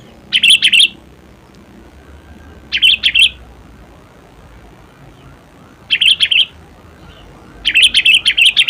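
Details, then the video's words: Sooty-headed bulbul (kutilang) calling in its own natural voice: four short clusters of bright, scratchy notes spaced a few seconds apart over a quiet, low background. "SUARA ASLI KUTILANG"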